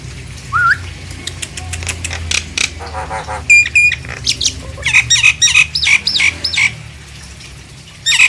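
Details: Nias hill myna, meant to goad silent mynas into singing: a rising whistle, scattered harsh squawks, then a lively series of upward-hooked whistled notes repeated several times a second.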